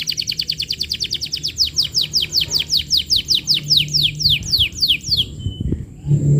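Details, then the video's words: Vigorously singing canary used as a lure recording to train young canaries: a fast series of clear, descending whistled sweeps, about four per second, ending in a short high trill. "Suara Pancingan Kenari Gacor"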